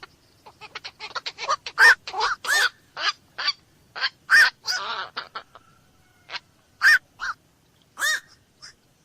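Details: Black-crowned night heron giving a dense run of short, harsh barking croaks, several overlapping and closely spaced, some louder and ringing, with brief pauses between bursts.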